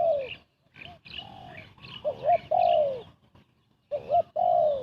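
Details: Spotted dove cooing rapidly as a trapping lure; a muffled falling coo, a softer middle phrase, then two strong bursts of a stuttering rising note followed by a long, slurred downward coo.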